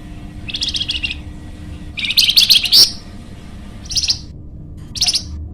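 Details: Golden-bellied gerygone (flamboyan) recorded for luring and training birds: short, scratchy high chattering bursts, one longer and louder with a fast trill, then two brief sharp chips.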